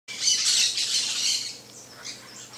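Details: Saffron finch, also called canário-da-terra, giving a dense, harsh burst of high chattering notes for about one and a half seconds, then fading into softer scattered chirps.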